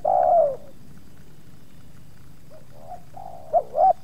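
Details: Spotted dove in a luring session with two wild doves approaching: one loud long falling coo, a quiet stretch with faint distant coos, then closer bouncing paired notes toward the end.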